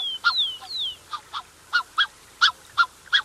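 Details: Black-necked swans, a pair accompanied by cygnets, heard close: two long high whistles sliding downward open the sequence, followed by a steady series of brief honking notes roughly every third of a second.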